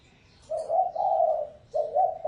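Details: Lure recording of a spotted dove: a short note run into a sustained, breathy low coo, a gap of about a quarter second, then a fresh two-part coo beginning.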